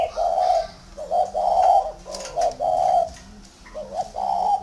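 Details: Tame, big spotted dove from a Ba Vì dove farm, Vietnam, cooing loudly and close in quick succession, short and long rolling coos alternating almost without pause, dominating over faint background noise.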